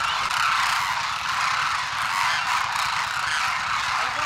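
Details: Wintering flock of migratory Demoiselle cranes at Khichan village, Jodhpur district, Rajasthan, India, calling without pause, a dense wall of overlapping rolling, honking croaks with no single bird standing out; Demoiselle crane.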